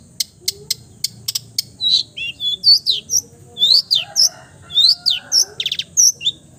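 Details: Long-tailed shrike imitating other birds' voices: it opens with sharp ticking clicks, then moves into high whistled slurs, twittering chirps and brief rattles in a lively, varied sequence.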